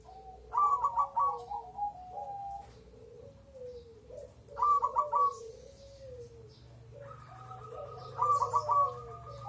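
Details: Song of a crossbred zebra dove: three bursts of rapid, bubbling coo notes about four seconds apart, each trailing off into lower, softer cooing, over a low steady hum.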